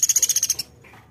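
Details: Velvet-fronted nuthatch (platuk beras) singing vigorously in a tutor recording: a short, rapid, very high dry trill of about ten even ticks, ending abruptly, followed by near silence with a faint soft note.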